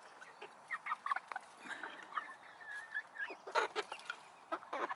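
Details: Several chickens and roosters in a coop give overlapping soft clucks and brief squawky notes, irregular and fairly quiet, with a louder burst near the middle.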